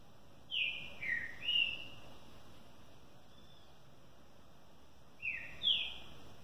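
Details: Green-winged saltator, a caged competition bird near the end of its moult, singing loud whistled phrases: a falling then rising three-note phrase, a pause of several seconds, then two more slurred notes; steady background hiss.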